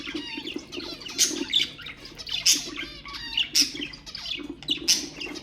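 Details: Pet budgerigars calling to stimulate other birds: sharp high chirps recurring about every second, interspersed with soft warbling chatter and a faint low hum.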